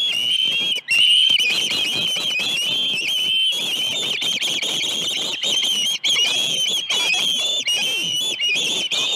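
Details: At a ranch nest, morning of 21 August 2019, ospreys call during fish deliveries: a long, nearly continuous stream of piercing whistled notes, wavering up and down, broken by a few brief gaps.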